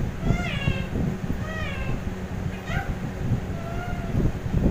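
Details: Indian ringneck parakeet talking, saying "Mithu" and "bye": four short nasal, harmonic voiced utterances, some gliding down then levelling off, spaced roughly a second apart over a steady low hum and background rumble.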